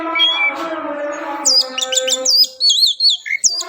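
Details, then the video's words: Orange-headed thrush song: after a steady low humming drone, a run of sharp, high whistled notes begins, quick slurred phrases with brief pauses between them. "Kumpulan kicau anis merah"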